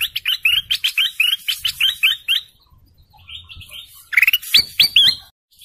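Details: Golden canary song: a fast rolling series of identical bright notes repeated about four times a second, a softer quieter passage, then sharp high whistled slurs at the end.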